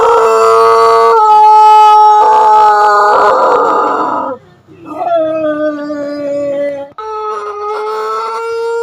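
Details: Pelung roosters in an Indonesian crowing contest, with long, sustained, tonal crows that overlap and trade off. One voice fades out briefly near the middle, then further drawn-out crows start up, each one level in pitch or gently falling.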